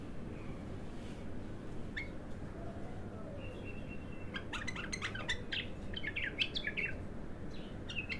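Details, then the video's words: Untrained bulbul, called al-abtar, singing for the first time: after a quiet opening with a few soft notes, a quickening series of sharp, clear whistled notes and rapid chattering phrases, against a low steady background rumble. "تغريد الابتر خام اول فتحـه له"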